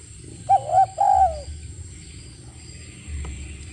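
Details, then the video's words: Spotted dove giving a brief cooing phrase of two short notes and a longer falling coo, followed by background hiss and low rumbling noise. "SUARA BURUNG DERKUKU"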